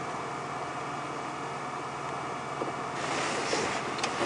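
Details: Steady vehicle engine drone during an afternoon safari drive at Djuma Game Reserve, growing slightly louder and hissier after three seconds, with no animal calls.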